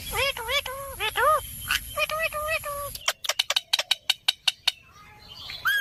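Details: Talking pet Indian ringneck parrot: a series of looping, speech-like harmonic syllables, followed by a rapid train of sharp clicks and a final rising whistle, with a steady high whine in the background.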